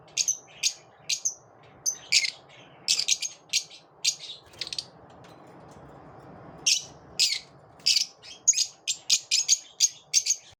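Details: Lovebirds after dawn keep up repeated high, sharp chirps, pause briefly in the middle, then resume in quick succession.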